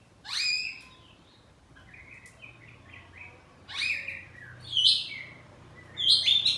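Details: Oriental magpie-robin, a house-kept bird singing in the ngeplong saut-sautan style, gives loud bursts of sweeping whistles and harsh chattering notes at about four-second intervals, with softer short phrases between them.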